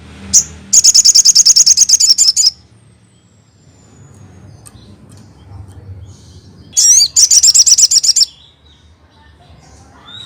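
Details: Crested jay, used to make other crested jays respond: two bursts of rapid, sharp, high-pitched staccato notes, each under two seconds, separated by about four seconds of near silence.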